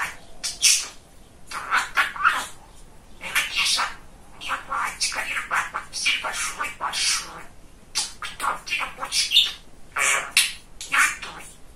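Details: Male pet budgerigar, described as very chatty, talking in a rapid, high-pitched stream of speech-like syllables mixed with chirps and squeaky whistles, with short pauses between phrases, indoors.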